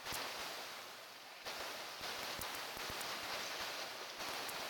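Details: Broad hiss like rain or wind with scattered crackles and taps, and no animal voice.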